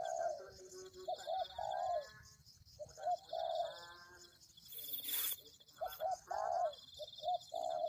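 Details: Spotted dove used as a lure, giving short doubled hoots and longer falling coos in several phrases, with a brief loud noise burst midway and a steady high buzz throughout.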